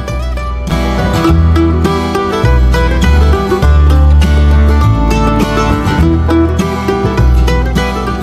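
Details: Loud plucked-string instrumental music with guitar and bass, strummed in a steady beat; no bird song is heard.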